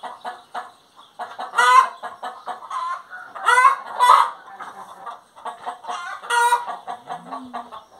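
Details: Hen singing: a series of loud, grating, harmonic squawks, two close together in the middle, amid rhythmic soft clucking and a brief low groan near the end.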